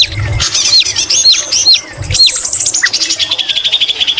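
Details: Energetic white-rumped shama singing greater green leafbird imitations: harsh squawky notes and looping whistles, ending in a fast, even buzzy trill.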